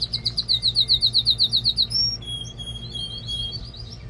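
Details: Canary male singing to excite the female for mating and to teach chicks: a fast, regular rolling trill of bright high notes for two seconds, then a long whistled tone and softer looping phrases.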